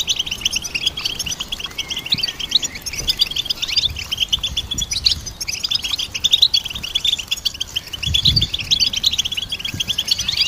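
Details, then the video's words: Long run of goldfinch song: constant fast, high twittering and trilled chirps from overlapping voices, with occasional dull low bumps underneath. "Goldfinch Symphony orchestrated by nature's motivational melodies"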